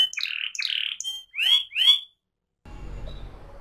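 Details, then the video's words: Canary singing ngerol-style phrases: several harsh chirps, then two loud downslurred whistles, followed by a pause and a faint background hiss. "kenari AF ngerol"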